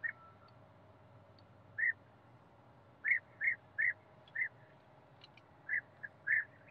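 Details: A European bee-eater gives about nine short, liquid, rolling 'prruip' call notes at uneven intervals over a soft, steady background hum.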